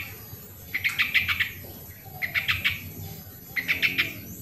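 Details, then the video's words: Original sooty-headed bulbul recording used to coax lazy birds into song: three quick chattering phrases of rapid pulsed notes, each under a second long, over faint low rumble. "suara original burung trucuk pancingan trucukan yang malas bunyi"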